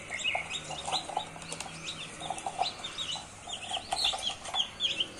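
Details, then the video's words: Young chicks peeping continuously, clusters of short high rising and falling cheeps from several birds at once, with a few lower clucking notes mixed in. "Chicks Chirping Sounds.🥰Enjoy Chicks Sounds."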